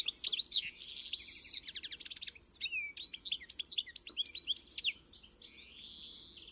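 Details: European goldfinch (pintassilgo), Carduelis carduelis, singing an encarte song: rapid liquid twittering with quick trills and sharp rising notes, tumbling phrases, ending in a softer drawn-out buzzy nasal note.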